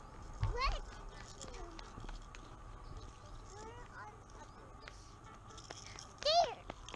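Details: A peacock at the LA Zoo gives its mating call, looking for a mate: two loud, nasal, wailing calls about six seconds apart, each rising then falling sharply, with faint human voices murmuring between.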